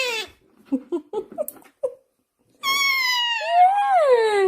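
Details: Indian ringneck parakeet indoors: a run of short chattering syllables, a pause, then a long harmonic-rich drawn-out vocal note that bends and falls.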